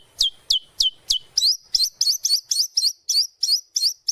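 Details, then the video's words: White-rumped shama lure song for training birds: four sharp descending whistles, then a steady run of looping twittery notes repeated roughly three times a second over a thin continuous tone. "PANCINGAN MURAI BATU GACOR BONGKAR ISIAN"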